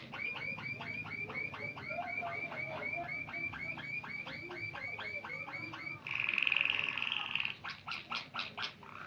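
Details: White Waterslager canary singing: a long even series of rapid, bubbling repeated notes at about four per second, then a brighter sustained trill and a few separate clicks, with background hiss.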